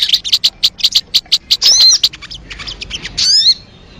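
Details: Crested jay lure sound: a series of spaced high sharp clicks, then short buzzy bursts with thin whistled notes sweeping upward, a final ringing burst, and a fading tail.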